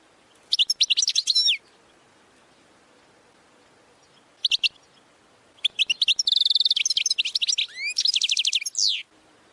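A European goldfinch sings bright, rapid twittering phrases mixed with buzzy and tinkling notes, in bursts broken by short pauses, against a quiet background.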